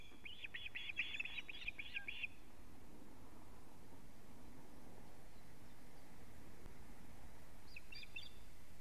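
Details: Brief run of high piping osprey alarm notes at the start, a few more near the end, otherwise steady low rumble and hiss; Latvian nest camera, 19 July 2017, 19:43, male bringing a living fish.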